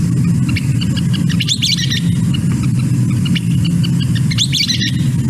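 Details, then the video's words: A Western Kingbird, a grassland bird, gives two bursts of squeaky, toy-like notes, a couple rising then some descending, about three seconds apart, over a loud low rumble. "So again, squeaky toy that goes up and then back down for the Western kingbird."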